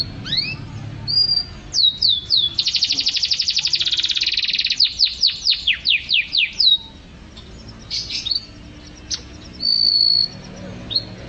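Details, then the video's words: Canary song for training other songbirds: rising whistled notes, a dense buzzy trill, then a run of rapid downslurred sweeps, followed by scattered chirps and a short flat whistle. "Suara Burung Kenari"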